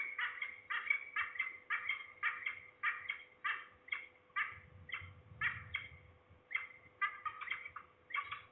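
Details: Afternoon recording from Trzebież, Poland, 2 September 2019: at least two falcons, the nearer one below, possibly a young bird or a parent, utter a long series of scratchy repeated calls about twice a second, with a low rumble midway.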